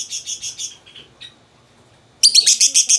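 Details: Two pet lovebirds, a peach-faced and a yellow-collared, calling to each other indoors: a quick run of sharp, shrill chirps, then a short pause and another loud, rapid burst of harsh, high squeaks.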